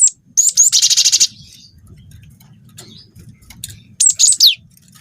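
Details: Cinereous tit (wingko type), a young bird in full song, used to draw other birds into singing: a high note, then a fast buzzy rolling trill lasting about half a second, later three shrill notes falling in pitch.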